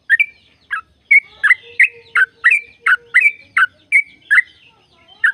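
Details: Sooty-headed bulbul song used as a lure to stir caged birds into singing. Rich chuckling notes repeat in a steady run, roughly three per second, with a faint low hum running beneath part of the phrase.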